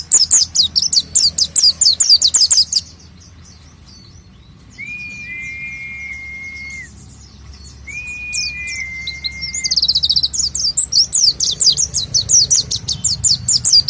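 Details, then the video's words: Oriental white-eye: rapid, very high twittering bursts open and close the passage. Between them come two pairs of long, steady whistled tones at a lower pitch. A low rumble sits underneath throughout. "gila..!!! burung pleci materi mewah"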